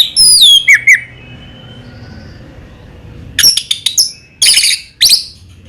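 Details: Orange-headed thrush (anis merah) singing in short spells: a quick descending whistled flourish at the start, a quiet stretch, then several sharp high chirps and twitters.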